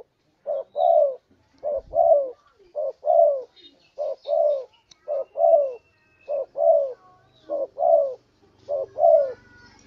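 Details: Repeated coo pairs from a spotted dove (tekukur, derkuku) used as a lure call to attract birds. A clipped note leads into a longer downward coo, eight pairs in a steady rhythm. Faint twittering and a low hum sound behind.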